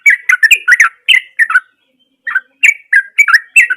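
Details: Actively singing yellow-vented bulbul, used as a lure for silent birds: rapid chattering bursts of liquid whistled notes, a pause of nearly a second, then more bubbly two- and three-note phrases.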